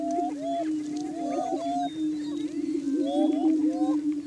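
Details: Greater Prairie Chickens booming on a Kansas lek in Washington County on a spring morning, displaying to establish breeding territory; a deep sustained hum underlies repeated rising whoops and clucking calls from multiple males, densest near the start and end.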